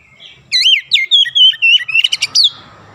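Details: An unbroken phrase of about ten bright, slurred whistles from an Oriental magpie-robin in 'ngerol' rolling and 'nembak' shooting style, with notes tumbling quickly up and down.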